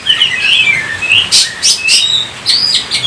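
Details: Oriental magpie-robin (kacer) in loud song: high, sweet whistled phrases that slide up and down, broken by sharp, bright high notes, delivered in quick bursts with brief gaps.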